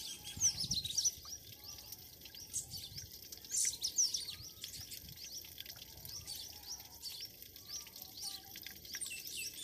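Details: Morning chorus of birds in a village in Pakistan: high chirps and twitters come in scattered clusters, with a few louder sharp notes early on and low rustling noise beneath.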